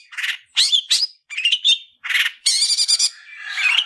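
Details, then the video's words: Long-tailed shrike (cendet) in a fighting-style song used as a training model for other birds: harsh, scratchy bursts mixed with sharp whistled notes and rapid rattling trills, delivered in quick varied phrases with brief pauses. "Tarung ngalas Gacoran cendet cocok untuk masteran burung cendet"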